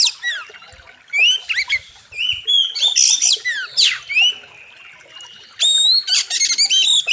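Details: Oriental magpie-robin singing continuously in a training master recording, rich in varied phrases: a dense string of swooping whistles, harsh chatters and bright repeated notes with almost no pause, over a faint river background.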